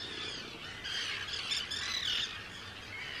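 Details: Hundreds of Arctic terns in a large breeding colony on Rottumerplaat, Netherlands, 4 June 2023, give harsh, grating, high-pitched squawks that overlap continuously, with a steady rush of wind or surf behind.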